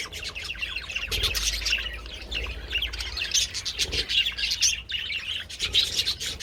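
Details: Several budgerigars enjoying treats in the sun on 27th February, keeping up a busy chatter of quick chirps and short warbling notes, with a low rumble underneath.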